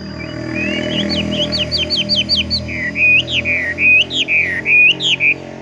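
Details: A Horsfield's bush lark sings in the "tung roll" style, with a quick series of sharp upward whistles followed by slower, sweeping slurred notes, over a steady low hum and faint background music.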